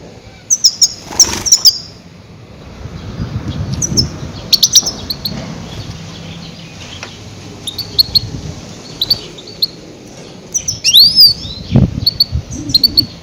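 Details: Loud goldfinch calls played to lure and catch grey-headed goldfinches: bright, high, clipped chirps in scattered clusters, with a quick twittering run near the end and soft low background noise throughout.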